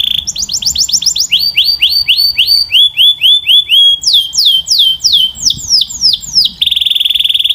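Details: Canary song built from tours of repeated swooping notes, each phrase repeated about four times a second before switching to a new pitch, ending on a fast steady high trill.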